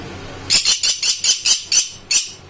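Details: A pair of pet green-cheeked conures of the pineapple colour variety; a series of eight harsh, scratchy squawks, rapid and evenly spaced about a quarter second apart with a short pause before the last, in a quiet room.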